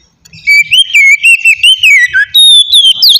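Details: White-rumped shama giving its easygoing open song, used to attract wild shamas; a fast, wavering chain of loud whistles with pulsing delivery and thin very high notes on top.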